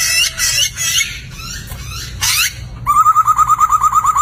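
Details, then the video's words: Laughingthrush, known locally as poksay, in full song for training cage birds: harsh rasping bursts and a sweeping noisy note give way to a rapid, evenly repeated series of clear whistled notes. "Suara Merdu Burung Poksay Gacor"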